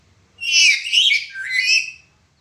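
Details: Black-capped lory in a 'suara pecah' (broken-voice) style, kept as a tutor recording for other birds: one loud, raspy squawk of about two seconds, broken into three harsh, buzzy surges, with a quiet low hum behind.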